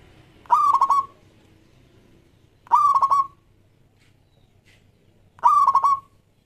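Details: Zebra dove, a local Indonesian perkutut, singing to prompt other doves into song: three loud bursts of rapid stuttering coos around one pitch, each lasting about half a second, spaced roughly every two and a half seconds, over quiet low background hum.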